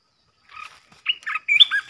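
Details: Red-whiskered bulbul, a fierce bird, singing a decoy song meant to provoke other bulbuls: a short, broken run of bubbly warbled notes that grows louder and more rapid toward the end.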